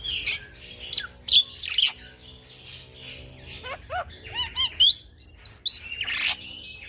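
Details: Young black-winged myna performing its rolling 'gacor ngeroll' song, used as a lure for training birds: scratchy harsh bursts first, then a sequence of clear rising whistles and quick chirped notes, ending with a rough rasp.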